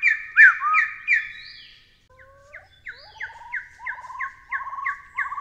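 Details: Taiwan partridge calling: a few loud harmonic notes, then a quickening run of short repeated hooting notes, rising and gaining strength toward the end, with faint low rumble underneath.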